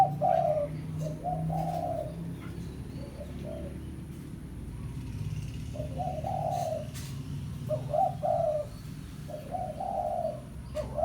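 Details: Spotted dove's pesom-style lure call to attract a rival, used for ground trapping: spaced phrases of deep coos with long gaps, under constant low rumbling background noise.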